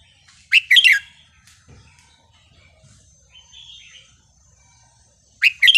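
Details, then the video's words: Red-whiskered bulbul in the counted-phrase song line, wild-style melody: a bright, quick warbled phrase of several whistled notes, a quiet gap with soft background chirps, then the next phrase begins. "นกกรงหัวจุกสายนับดอก เพลงป่า สำนวนเพราะๆ"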